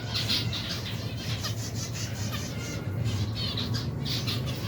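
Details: Over 120 pairs of finches and their young eating: lively overlapping high-pitched chirps and short trills from many birds at once, with a steady low hum running throughout.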